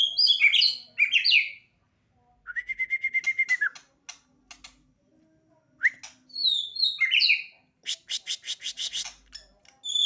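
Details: Beginner White-rumped shama in full, lively song: sharp high swooping whistles, a buzzy sustained pulsed note, then fast metallic ticking trills and more bright whistled phrases, delivered in quick changing bursts.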